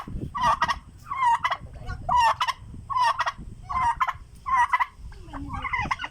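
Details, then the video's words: A turkey gives seven rattling, gobble-like calls, roughly one every second, each a quick burst of throaty notes; the owner says such calling means the turkeys are hungry. "when the turkey is making sound it' means there hungry"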